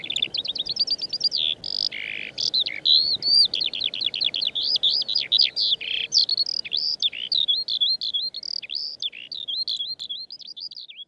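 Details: Eurasian skylark, Bird of the Year 2019, pouring out a continuous, rapid, high warbling song of trills, chirps and sweeping notes that runs without pause for over eleven seconds against a quiet background.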